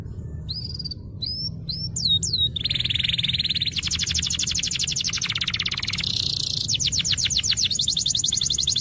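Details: Canary song used as a master recording to prompt silent canaries to sing: a few high upswept whistled notes, then long fast rattling trills at high pitch, switching between several trill types, with a steady low hum behind.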